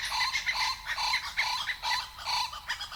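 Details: Blue-winged kookaburras, a nesting pair in an old gum tree in Kakadu, northern Australia, give their daily dawn/dusk chorus: harsh, cackling rapid raspy bursts rising and falling about twice a second, confirming ownership of their territory.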